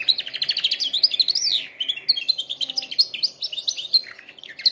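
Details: Canary singing, meant for training other canaries: a continuous, rapid run of high chirps and trills, some rising and falling in quick sweeps, with a brief lower rolling trill midway.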